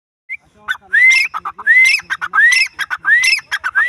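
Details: Grey francolin (bhura teetar) calling: after a short high note, loud rising whistles each run into a rapid chatter of harsh, clipped notes, with the phrase repeated about every 0.7 seconds.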